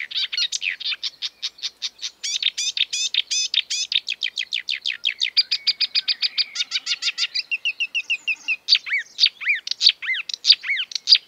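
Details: Exuberant marsh warbler delivering a long unbroken stream of fast repeated chattering notes and buzzes, shifting into swooping whistled phrases copied from European and African birds.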